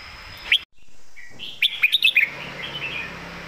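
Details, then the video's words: Red-whiskered bulbul, a caged competition bird, gives a brief master song phrase of quick, bright whistled notes rising and falling, after a click and a short pause, with sharp ticking sounds mixed in. "ใส่เต็มทุกดอก"แกนเสียงหนา เพลงแม่บท/นกแข่ง"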